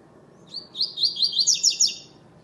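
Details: Double-collared seedeater, a bird entered in a web singing tournament, classic song without the third note: a short high whistle, then a quick run of bright slurred notes repeated about seven times, rising in pitch toward the end, in quiet surroundings.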